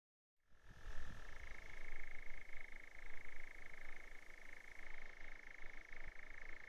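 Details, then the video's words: European nightjar churring on Blackheath, Surrey: a long, unbroken mechanical trill holding one steady pitch, stepping slightly higher after the first second and then continuing evenly, with soft low background rumble. "Nightjar churring"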